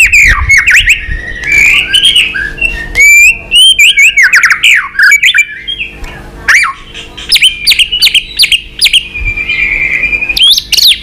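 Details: Fighting song of a White-rumped shama flicking its tail to goad a rival. Loud, dense, varied warbling with slurred whistles and fast chattering runs continues almost without pause.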